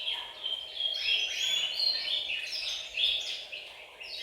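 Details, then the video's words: Canaries singing as a group in a bird room to motivate males to sing and ready females; quieter, overlapping high warbles and quick trills swelling and dipping every second or so. "أقوى تحفيز لتغريد وتجهيز الكناري، تغريد جماعي في غرفة الطيور سيجعل طيورك تغرد مباشرة"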